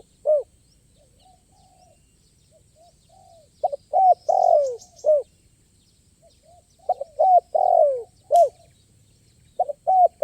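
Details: Spotted dove at a luring site, with a crisp, varied voice full of stuttering play, giving arched mellow coos in short phrases, some notes doubled, with soft faint coos between.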